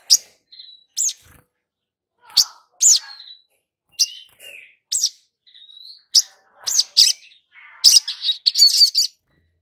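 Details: Long-billed spiderhunter played as a lure to start newly caught birds singing: high, sharp, downslurred chips spaced irregularly, with thin whistled notes between, rising into a faster scratchy burst near the end.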